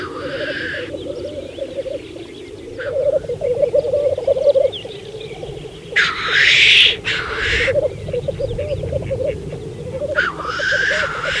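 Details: Black grouse at a 2014 spring lek, Saaremaa. Loud bubbling coo between repeated harsh hissing sneezes, with two close together mid-way and another near the close.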